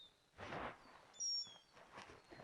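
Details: Lesser Goldfinch calling in the distance at Bamberger Ranch Preserve, Blanco County, Texas, giving thin, sweet, high whistled notes, one drawn-out, swooping "happy-sad", amid gusts of wind on a windy day.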